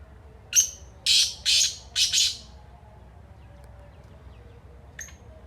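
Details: Black francolin (kala teetar) giving a harsh, grating phrase of four loud rasping notes over about two seconds, the last two run close together, with a thin short note before and another after; quiet background.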